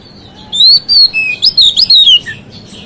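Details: White-rumped shama singing to provoke rival shamas, a lively phrase of about seven clear whistled notes mixing long slides with quick rising flicks, ending on a soft lower note.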